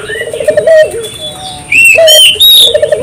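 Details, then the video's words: Brief gacor puter dove song meant to stir local doves: a fluttering low coo and a short held note, with loud high whistled notes from other birds. "suara burung puter gacor"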